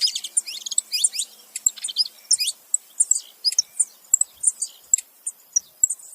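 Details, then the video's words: Saffron finches, male and female together: a busy jumble of high thin chirps and twittering notes, dense at the start, then softer scattered calls. "canário da terra macho e fêmea junto fazendo barulho"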